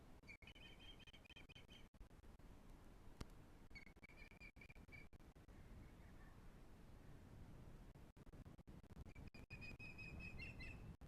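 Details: Osprey on its breeding nest at Pont Croesor, Glaslyn Valley, North Wales, from a live nest camera: three bursts of high, piping whistled chirps in quick series, separated by pauses of several seconds, with constant low rumbling wind and occasional clicks.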